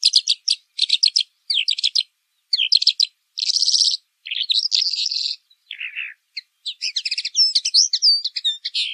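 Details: Singing Pailing bird in pekling style delivers a varied high series: clipped stuttering notes, a buzzy trill, a lower rasping phrase, then bright whistled slurs and rapid twitters.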